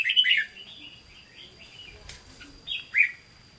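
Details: Red-whiskered bulbul in a cage giving Hue-style song: a loud whistled burst at the start, soft quiet warbles, then one sharp rising note near the end over a faint constant whine.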